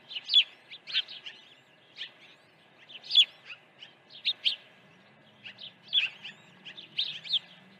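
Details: Early feeding at an osprey nest on a ranch, morning of 1 June 2019: clusters of piercing high chirps, about three to four notes per burst, bursts roughly every second, a low hum entering later.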